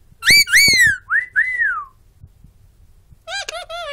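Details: Pet bird indoors, described as a loud mouth and talking: two loud whistled notes with bright overtones, then two softer slurred whistles, a pause, and a quick warbling chatter at the end; a man says "good boy" nearby.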